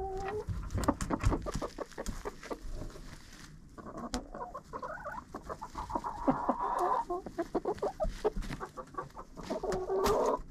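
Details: Chickens in a coop, recorded on a GoPro placed inside: dense pecking and tapping throughout, with clucks and a stretch of murmuring calls midway, and a final burst of clucking.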